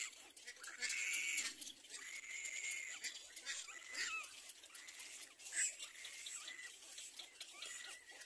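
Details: Little black cormorant chick crying while its mother feeds it; strained, wheezy cries with faint tonal bands come in uneven bursts about a second long, set against steady hissy background noise.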